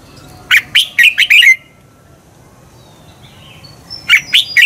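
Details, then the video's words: Red-whiskered bulbul song for stimulating competitive singing: a quick phrase of five warbled notes, a two-second pause with a faint distant chirp, then three more notes. "Luyện chào mào hót sáng Giọng xoắn kép hay KÍCH CHIM CĂNG HÓT ĐẤU"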